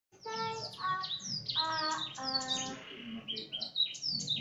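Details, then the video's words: Canary singing a song learned from a Blackthroat tutor: rapid, high, falling chirps and trills overlapping lower sustained tones rich in overtones, which may be a voice, in a quiet indoor setting. "Kenari isian Blackthroat"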